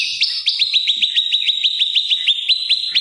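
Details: Olive-backed tailorbird singing as master material for oriental magpie-robins, meant to provoke rivals. Rapid, evenly paced sharp notes, about five per second, holding a high steady pitch throughout.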